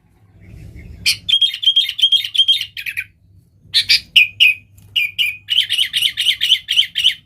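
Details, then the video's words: A sooty-headed bulbul sings persistently in 'nggaruda' style, used for calling wild bulbuls: bubbly chirped phrases in several bursts, the last a fast regular run of warbling notes, with a faint low rumble at the start. "Suara Burung KUTILANG GACOR Nggaruda Super Ampuh Untuk Suara Panggilan Burung Kutilang Liar"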